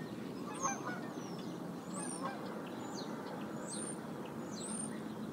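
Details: Mother bald eagle near her nest at Decorah calling in concern on 29 January 2022 as a sub-adult visitor perches nearby and a skier passes. High, thin, downslurred whistled chirps come roughly once a second over a steady low background rush.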